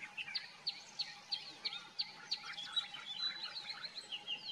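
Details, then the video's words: A common myna sings a steady string of short, high chirps, about three each second, followed by softer squeaky whistles, with background hiss. "The common myna Song / Indian myna Singing"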